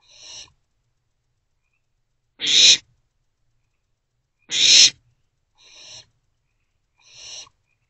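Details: Three owlets in a nest box, recorded on 13 April 2024 between 1:05 am and 12:46 pm, give harsh broadband hissing screeches: two loud bursts among three softer ones, spaced about a second apart, in otherwise quiet surroundings.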